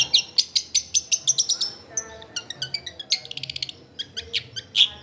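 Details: Long-tailed shrike singing loudly as a lure for other shrikes: a fast series of sharp, high ticking notes, then buzzy trills and scattered squeaky chirps.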